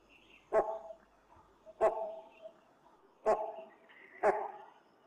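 Great Hornbill giving four loud, harsh barking calls, about one every second or so, each a short gruff blast.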